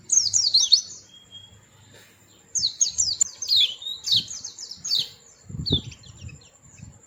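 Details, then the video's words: Cute small white-eye giving short runs of high, quick, down-slurred chirps between pauses, with a thin steady tone and some low thumps and knocks. "Burung Kecil Pleci Bersuara Merdu"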